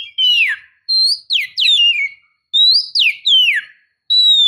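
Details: Piercing whistled calls from a female oriental magpie-robin meant to goad a male into song: steady high notes followed by swooping downward slurs, repeated in two phrases with brief gaps.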